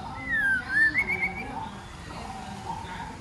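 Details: White-rumped shama female goading males to sing and fight: a quick run of bright whistled notes dipping then climbing, followed by quieter low murmuring background noise.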